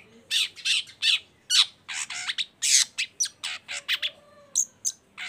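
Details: Lure song of a long-tailed shrike for prompting other shrikes to join in, a dense string of harsh, scratchy bursts and sharp chips delivered in quick succession.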